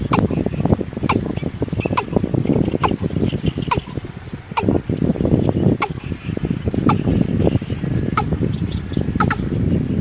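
A watercock gives low, hollow booming notes, repeated about once a second, with sharp clicks over a steady rumbling background.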